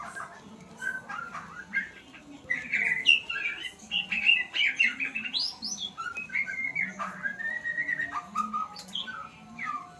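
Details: White-rumped shama picking up sounds: dense, lively stream of high chirps, buzzy trills and short whistles, fairly continuous for ten seconds, over low murmuring background tones.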